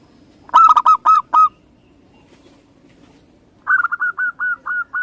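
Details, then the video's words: Local-strain zebra dove singing two bursts of quick, rolling cooing notes, the first of about five, the second a longer run of seven evenly spaced pulses, with quiet gaps between. "Perkutut lokal"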